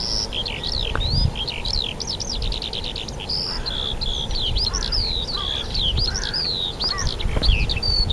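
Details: Spring birdsong at Rogozyanske reservoir, Kharkiv region, recorded 4 April 2010: many overlapping high arched whistles and twittering notes in a continuous chorus, over low rumbling background noise and a few faint lower calls.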